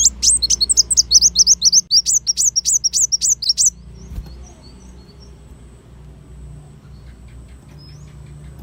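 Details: Kolibri wulung sunbird song used for training caged songbirds: a rapid, even series of very high, thin chirps with a bent squeaky shape, rattled off for nearly four seconds, then quiet apart from low background hum.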